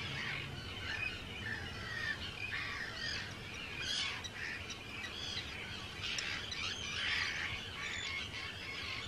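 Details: A large Arctic tern colony on the Dutch island of Rottumerplaat, 4 June 2023, keeps up a ceaseless din of coarse, chattering screams from many birds at once, with louder calls breaking through now and then.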